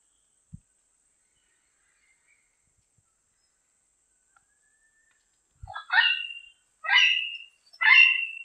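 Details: A diademed amazon out in nature: near silence with a couple of soft knocks, then three loud, nasal, ringing squawks about one second apart.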